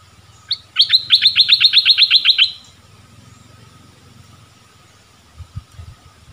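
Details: Streak-eared bulbul gives a single quick run of about a dozen crisp, falling notes lasting roughly two seconds. A faint low rumble continues underneath, with a steady high tone throughout.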